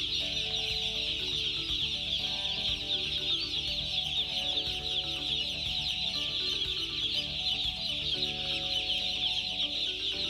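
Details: Broiler chicks in a dense flock keep up a constant high-pitched peeping chorus, countless overlapping cheeps with no pause, while gentle background music plays underneath.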